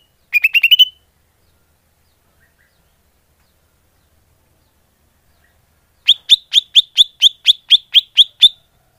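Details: Greater green leafbird call used to lure birds: a brief rising trill of about six notes, silence, then a steady series of sharp upslurred chips repeated about twice a second.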